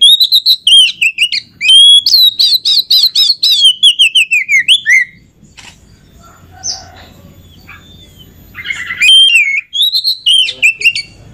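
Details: Oriental magpie-robin singing as a lure for other magpie-robins, a long fast string of loud, bright whistled notes dipping in pitch, a quiet gap, then a further burst of whistles.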